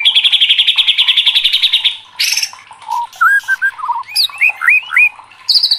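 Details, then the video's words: White-rumped shama (murai batu), singing energetically in an Indonesian recording meant to stir other shamas to answer: a fast run of repeated buzzy notes, then a varied series of sharp whistles, rising slurs and short chirps. "DIJAMIN MURAI LANGSUNG KOAR-KOAR TERSULUT EM0SI | murai batu gacor | shama bird"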